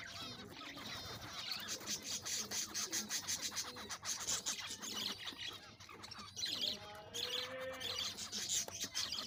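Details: Captive breeding zebra finches, six pairs including black and fawn birds, courting; busy overlapping chatter of short nasal beeps and buzzy notes, several birds calling together throughout.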